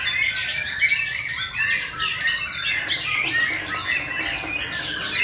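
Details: Competition singing by white-rumped shamas, May 2020, breeding season: a continuous stream of loud, varied whistles and fast chattering trills that sweep up and down, with several birds overlapping and no pause.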